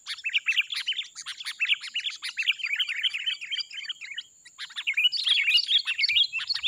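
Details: Wild sooty-headed bulbul singing a lively, busy song: fast bubbling, warbled phrases of chirps and twitters in quick succession, a short pause near the middle, then more rapid chattering notes, with a thin steady tone running behind.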